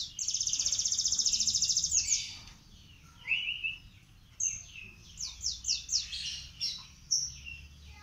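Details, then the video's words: Young panda canary learning to sing: a fast, even high trill lasting almost two seconds, then a lower buzzy note and a run of quick rising chirps and short whistled phrases spaced irregularly, over low background rumble. "Kenari Panda Belajar Gacor"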